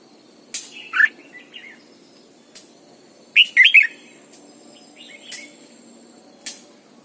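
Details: Red-whiskered bulbul, a lure bird singing in the morning, used to train other bulbuls in the wild-style double-note song. Two short bright warbled phrases with quick rising and falling whistles about two seconds apart, then faint notes and clicks over a low hum.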